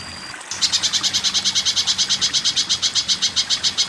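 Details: Spiderhunter song used as a training recording for caged birds. A thin steady whistle-like tone fades, then a rapid run of bright, high, clipped notes starts and repeats evenly, several each second, until the end.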